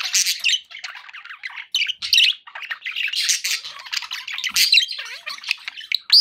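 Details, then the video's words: Domestic budgies in a flock giving rapid, harsh chatter and squawks mixed with short whistled notes, bursts separated by brief pauses, with a rising whistle at the end. "9 hours of budgie sounds to keep your pets in happy bird company"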